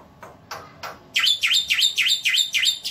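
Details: Javan white starling singing for a masteran track: a few faint scratchy notes, then a steady run of six loud, dipping whistled notes roughly four per second.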